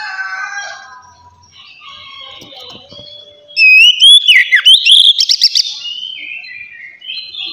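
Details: Oriental magpie-robin in relaxed ngeplong style, meant to get young untrained magpie-robins singing: quiet scattered whistles and chirps at first, then a loud burst of looping, sharply modulated whistles followed by fading notes.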